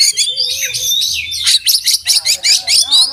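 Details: Oriental magpie-robin in full voice with open beak, song packed with fill-ins and tutored master phrases: a dense, high burst of slurred whistles breaking into a quick string of sharp repeated notes, over a faint low hum.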